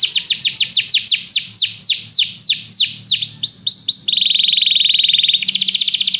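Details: Canary singing, played as training to make a canary sing: about a dozen descending whistled sweeps at a steady pace, then a flat rapid trill and a higher buzzy roll.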